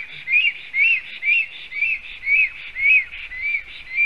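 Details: Male black stork defending its nest in Sigulda municipality, Latvia, on 30 July 2020, filmed by a live nest camera: a steady series of arched, whistled notes, about nine in four seconds, roughly two each second, over a quiet background.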